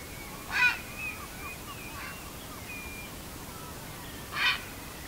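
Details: Grey heron, flying and moving, gives two harsh, raspy 'gyau' croaks about four seconds apart over faint thin whistles of shorebirds on a tidal mudflat in Saga, Japan, an hour before dawn, 18 April 2018, spring migration.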